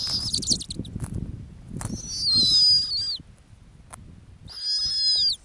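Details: Nesting female snowy owl in the Arctic calls with high, drawn-out whistles that slide downward at the close, two clear notes after a fainter one, over steady low rumbling.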